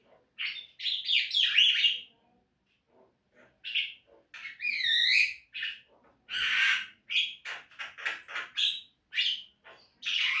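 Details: Javan myna song meant for teaching caged birds to sing: quick squeaky run, scattered pauses, a wavering slurred whistle, then a string of harsh, buzzy and chattering notes.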